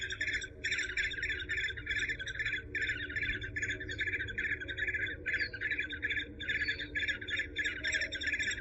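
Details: Eurasian hobby (Falco subbuteo), a falcon, giving fast series of clipped, ringing notes grouped in short bursts separated by brief gaps, over a constant low hum.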